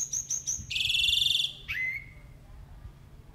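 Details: Jalak uret starling singing a full 'isian' song in an active, vigorous mood: three quick high whistled notes, then a long buzzy trilled phrase, then a sharp note sliding down into a drawn-out whistle that fades out.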